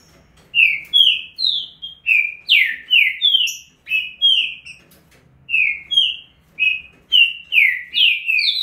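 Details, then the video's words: Green-winged saltator in a fast estouro-style burst song, loud clear whistled notes, many slurring downward, delivered in quick bunches of two to four with brief pauses between runs. "Trinca ferro Estouro mais rápido velocista."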